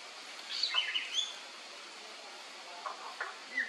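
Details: Male black-naped monarch at a national park ranger station (Khao Phu Phlu), Phetchaburi, Thailand, 1 May 2024: a quick burst of sharp chirping notes, then a few fainter scattered notes, against a steady hiss.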